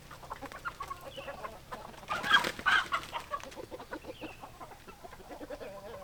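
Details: Hens clucking in quick, uneven series of short notes, about two or three a second. A louder, harsher burst of calls comes near the middle, over a steady low hum.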